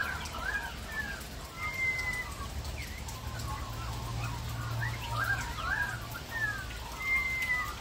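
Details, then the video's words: Australian magpies singing in a backyard in Australia during rain, melodious warbled and fluting phrases with clear whistled notes, steady rain patter throughout. "Singing magpies in our backyard during rain"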